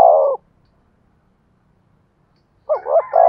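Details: Decoy spotted dove in 'giọng thổ' voice. The tail of one soft, low coo is heard, then a quiet gap, then the quick double hoot that opens the next phrase.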